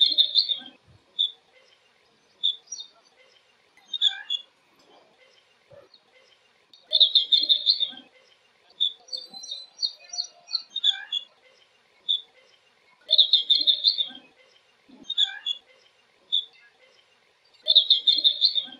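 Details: Blue-cheeked bee-eater in flight giving rolling, trilled high calls in bursts every few seconds.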